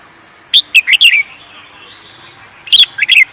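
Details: Bird kept for song contests gives two short bursts of bright, staccato chirped notes, each a quick run of four or five notes ending in a falling slur, separated by about a second and a half of near silence.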